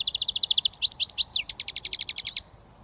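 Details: British goldfinch, a young bird beginning to whistle, pours out a fast run of high ticking notes, then swooping twitters and a rapid even trill before stopping.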